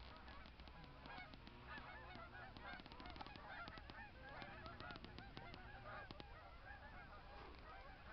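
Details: A large flock of snow geese in Michigan clamors nonstop, a dense overlapping chorus of nasal, barking honks and yelps with no pauses, over a low background rumble.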